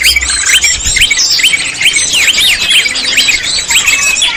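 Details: Lure recording of greater green leafbird song: a busy stream of high twitters overlaid by a string of quick swooping whistled notes, each dipping then rising sharply, repeated roughly every half second, with a faint low hum at the start.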